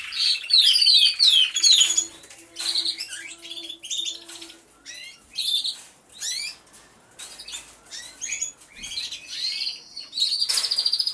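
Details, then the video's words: Canaries in an aviary, recorded by a hidden camera as all sing: bursts of fast rising and falling whistled sweeps and trills alternate with short quieter gaps, with a faint low steady tone in the first seconds. "CANTO DE CANARIOS | AVIARY SOUNDS (SONIDO REAL DE UN AVIARIO DE CANARIOS)"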